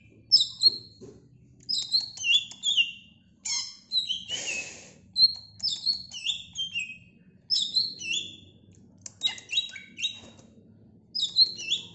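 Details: Greater green leafbird singing repeated short, sharp whistled slurs and chips, phrase after phrase with brief gaps, plus one brief noisy burst midway.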